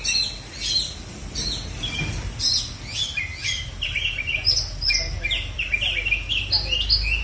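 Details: Oriental magpie-robin from South Aceh, Indonesia, in a songbird contest setting: varied whistled and chattering phrases at high pitch, repeated rapid notes and sharp upslurs, with faint voices and background noise.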